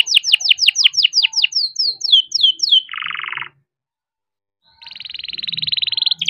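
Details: Captive young canary in rolling song used as a singing prompt for quiet canaries: a series of descending whistled notes gives way to a buzzy low trill, silence for over a second, then a bright rapid trill.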